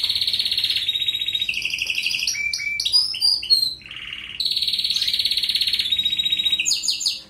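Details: European goldfinch song for canary training, loud and clear: a long buzzy trill drops in steps, gives way to tumbling liquid twitters and sweeps, then resumes as a sustained high rolling trill.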